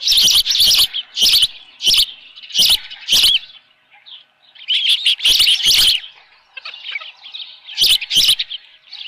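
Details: Osprey at the nest with a live fish, 7:32 AM on 24 June 2018; sharp high cheeps in quick clusters, a pause of about a second, then further shrill bursts and soft trailing whistles.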